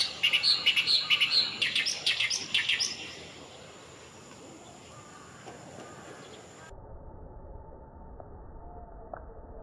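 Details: Oriental reed warbler at Kanai retarding basin, Japan, 6 June 2020: loud, harsh, chattering notes repeated rapidly for about three seconds, then fading to quiet background with faint distant sounds.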